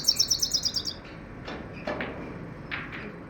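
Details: Common Iora: a rapid run of high, thin repeated notes for about a second, then fading soft clicks and faint background noise.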